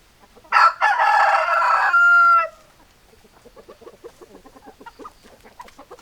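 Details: Rooster gives one loud, harmonic-rich crow lasting about two seconds that ends in a falling tail, followed by soft, scattered hen clucks.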